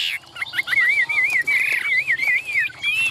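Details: Caged Chinese hwamei in Vietnam delivers a sustained warbling trill, a wavering whistled line held for nearly three seconds, with faint clicks and background noise.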